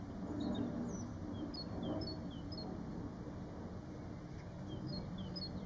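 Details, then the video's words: White-faced whistling ducks on a farm in 2019 give thin, high, falling whistles in short runs from several birds at once, over a steady low rumble of wind or distant traffic. "White Faced Whistling ducks"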